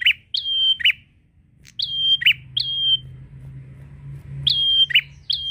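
A prinia gives loud, sharp, high chirps in quick pairs and short bursts, each note flicking up and down, with a faint low hum underneath.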